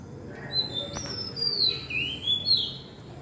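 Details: Oriental magpie-robin singing in the evening, though it usually sings in the morning: clear, high whistled phrases that slide up and down, with sweet drawn-out notes over a faint background hum.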